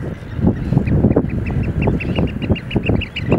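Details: Eurasian oystercatchers during a display dance, giving a fast run of clipped piping notes, evenly spaced, over heavy low thumping and rumbling noise.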